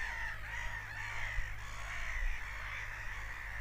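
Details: Seagulls screaming: a dense, continuous chorus of many overlapping harsh cries around the same pitch, with a steady low rumble beneath.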